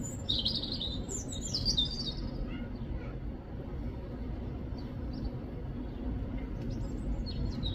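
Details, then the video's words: Robin chirping outdoors: bursts of short, high, twittering chirps in the first two seconds, then scattered faint chirps, over a steady low rumble of background noise. "#robinbird #birds Chirping sound"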